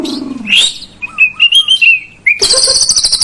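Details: White-rumped shama phrases played to get a lazy bird singing: varied short whistled slurs and a low descending note, then a loud high buzzy rattle at the end.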